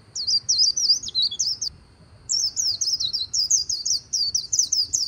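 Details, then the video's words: Two bursts of a white-eye's líu song recorded on the Kỳ Cùng riverbank, each a rapid series of shrill, tinkling high notes, separated by a brief pause of about half a second. "VÀNH KHUYÊN HÓT LÍU/ 10 PHÚT CHIM VÀNH KHUYÊN LÍU BÊN BỜ SÔNG KỲ CÙNG RẤT HAY"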